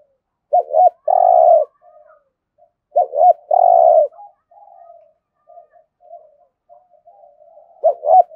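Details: Spotted dove doing competition cooing in Đồng Nai, Vietnam: two strong phrases of double hooked notes plus a long coo, followed by quieter, softer murmured cooing and a fresh phrase starting.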